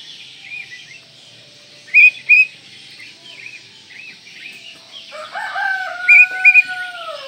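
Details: Oriental magpie-robin giving sparse, sharp whistled notes in pairs over a faint background, while a rooster crows loudly in the middle of the recording.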